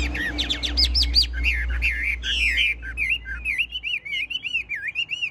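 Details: Caged, well-tamed Chinese hwamei in full song: a rapid burst of high rising-falling whistles, then a chain of looping, wavy whistled notes repeated about twice a second over a low rumble.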